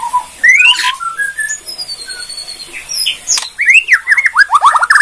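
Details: Borneo white-rumped shama singing a provocative kretekan song: scattered clear whistles at varied pitches, then a burst of quick, looping downslurred notes toward the end, with a few sharp clicks.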